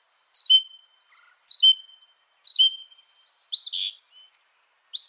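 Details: Repeated mimicked phrase from a northern mockingbird: a sharp, high note trailing into a thin flat whistle, given three times, then a burst of arching, squeaky notes; soft high hiss behind.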